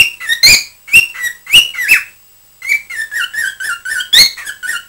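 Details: Pet cockatiel chattering, recorded on 20 December 2007: bright, harmonic chirps and warbling squeaks that rise and fall, delivered in quick bursts. A short silent pause comes midway, then a denser run of wavering notes.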